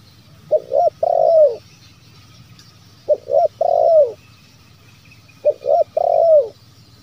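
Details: Lure call of a spotted dove, meant to make wild doves answer and sing. It is a three-part kuk phrase repeated three times, about every two and a half seconds: two quick hollow coos, then a longer coo that bends downward at the end.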